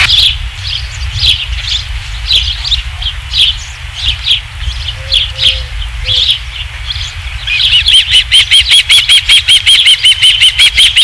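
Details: Dunrovin Ranch osprey nest, 27 July 2016, with the third fish: soft, scattered chirps and a few low tonal notes at first, then a sudden fast, even series of piercing high whistled chirps for the last few seconds.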